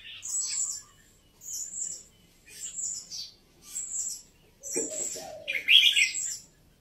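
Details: Red-whiskered bulbul, Vietnamese and Uttaradit, Thailand, birds: high thin notes repeated about once a second, ending in a louder jumbled warbled phrase with a brief lower rasp.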